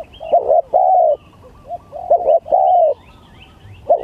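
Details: Spotted dove cooing in a contest between the gagap tindan and klantan song styles: two long smooth falling coos broken by short stuttered notes, with soft high chirps in the background.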